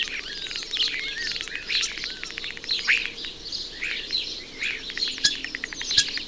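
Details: A male common starling sings from a chimney pot on a suburban house, pouring out a busy medley of high whistles, wheezes and chirps with snatches of mimicked calls, while rattling his bill to make rapid dry clicking rattles.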